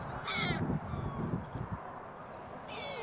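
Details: Gulls at a shopping mall on a very windy Christmas Day 2014. A short nasal squeal comes near the start and another harsh call at the end, over strong low wind roar.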